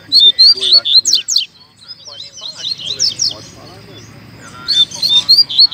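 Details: Coleiro song contest between two birds during the 2019/20 season: sharp, rapid whistled and slurred chirps, a tangled middle stretch of overlapping notes, then a fresh burst of loud clipped phrases.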